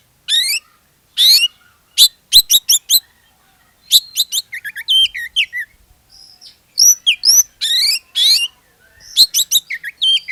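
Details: Oriental magpie-robin (kacer) lure song for prompting other magpie-robins to sing; dense sequence of high chips, clicking trills, rising sweeps and fluty whistles in rapid succession.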